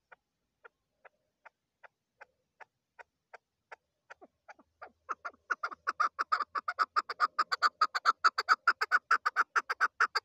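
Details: Female chukar partridge giving a series that opens with well-spaced, soft clucks and accelerates into a loud, fast, rhythmic chatter of repeated chuck notes by the end.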